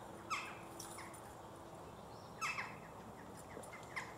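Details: Western jackdaws calling in a village from the top of a church: brief, clipped squeaky 'tchak' notes, one early, a double call near the middle and a last one at the end, with faint background hum.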